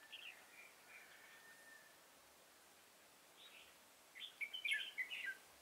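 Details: Red-whiskered bulbul song at a trap, decoy bird luring an old wild bird, 24 September 2018; faint scattered notes early, then a loud rapid run of bright chirping, warbled notes near the end.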